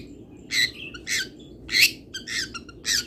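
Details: Long-tailed shrike, local Pati bird, giving harsh buzzy squawks roughly twice a second, each broad and rasping, with steady background noise.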